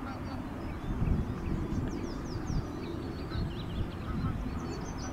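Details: A flock of young Canada goose hatchlings, close up while eating or resting. Sharp, thin descending peeps come in quick bursts, many birds calling at once, with low rumbling noise beneath.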